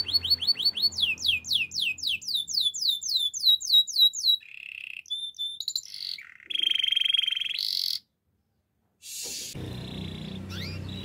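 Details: Canary training song: a run of quick descending whistled sweeps repeated several per second, then a low buzzy roll, a bright trill and a sustained rattling tour before a short silence and a harsh buzzy burst.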